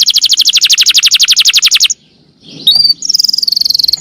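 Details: Canary master song to encourage canaries to sing: a loud, machine-gun trill of high notes, a pause, a thin rising whistle, and a renewed fast chattering trill.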